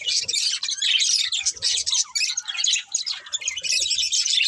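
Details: Budgerigars chirping in a dense, continuous chatter of warbled, buzzy notes with scratchy twitters, bursts overlapping almost without pause.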